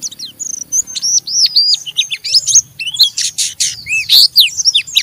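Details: Loud rough chattering ('ngeriwik') from an Oriental white-eye, used to stimulate another white-eye to sing: dense high twitters, arching slurs and harsh buzzy bursts in an uneven jumble.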